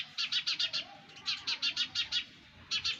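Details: Baby sparrows calling from their nest: fast runs of high, scratchy chirps, five to six notes per burst, separated by brief gaps.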